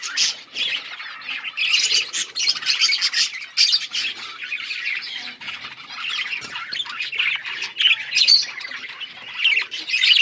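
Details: Breeding budgerigars chirping continuously, a dense chatter of high warbled chirps and short squawks from several birds overlapping throughout.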